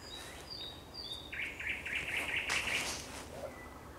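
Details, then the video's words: Thrush nightingale song at sunset, 30 May 2021: several thin descending whistles lead into a loud chattering series of about nine rapid repeated notes. "Śpiew słowika szarego przy zachodzie Słońca"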